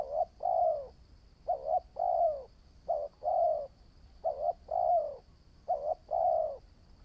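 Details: Spotted dove newly taken out for decoy training, cooing five times in a row: a quick paired note then a longer, slightly falling coo, each phrase spaced roughly a second and a half apart over a steady thin high whine.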